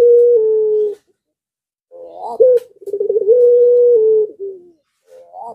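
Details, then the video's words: Puter pelung dove calling hard in breeding condition, provoking other doves to call: a sustained low coo, then a rising flick, a bubbling roll and a long level hum that sags at the end. "BIRAHInya memuncak Lagi Sampe Gacor Ngundang Puter Disekitaran Ikut Gacor jadi rame"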